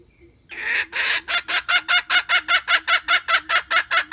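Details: Red junglefowl hen calling to draw males: a long, rough opening note, then about fifteen rhythmic, rasping clucks at a steady pace of roughly two and a half per second.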